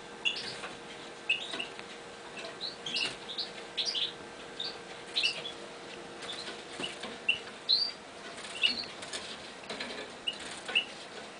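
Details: Eurasian bullfinches kept in a new cage utter scattered soft piping notes amid fluttering wingbeats and light rustling, with a steady background hum.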